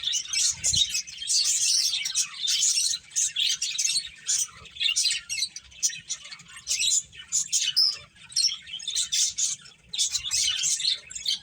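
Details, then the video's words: Playing finches chatter in quick, high-pitched chirps, bursts of overlapping tweets rising and falling in loudness with short gaps, one low thump near the start. "Beautiful Birds Chirping Sounds | Cute Finches Playing"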